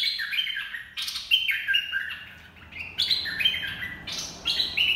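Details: Red-whiskered bulbul dok taeng song used to train young birds and attract others: four bouts of cheerful whistled notes, each starting high and stepping down, roughly one phrase per second, over faint background noise.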